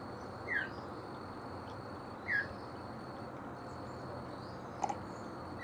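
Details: A Northern Mockingbird in a backyard, with a red-shouldered hawk perched nearby, gives short, high, downslurred hawk-like notes about every two seconds, not sounding like a warning, over a steady hiss.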